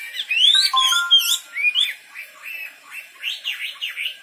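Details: Wambi bird song made of bright slurred whistles and a few steady tones, then softer rolling warbles and rapid chirps toward the end.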